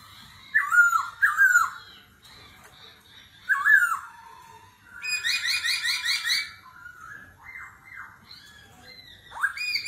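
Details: Competitive singing by a laughingthrush with a wild-forest voice that changes continuously: loud swooping whistles, then a run of rapid buzzy chattering notes, followed by softer varied whistles and a final rising note.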